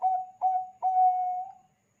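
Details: Zebra dove, Bangkok type, singing to lure other doves to respond: a three-part phrase of two brief coos and one long, even coo that trails off softly.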